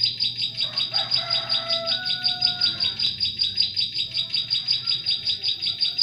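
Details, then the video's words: Lure recording of a Bar-winged prinia used to attract birds for trapping in forest; a rapid, even train of shrill high chips, roughly 160 a minute, while softer lower whistled notes drift in the background. "SUARA PIKAT CIBLEK SAWAH"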